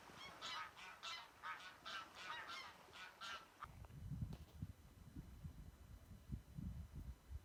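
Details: Goose flock on Værøy, Norway, honking in a rapid run of nasal calls for about three and a half seconds, then stopping as low rumbling wind or handling noise takes over.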